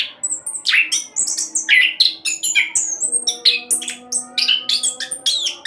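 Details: Orange-headed thrush in fast rolling song, used as a lure to prompt other birds to sing: dense run of high whistles, buzzy sweeps and chattering notes, quick bursts with brief gaps, steady faint hum beneath.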